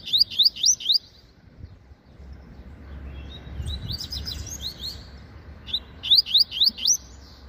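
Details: Caged Double-collared Seedeater, a promising young bird, singing the 'meio canto' (half song) style: bursts of four quick rising whistled notes, a softer twittering phrase in between, low background hum.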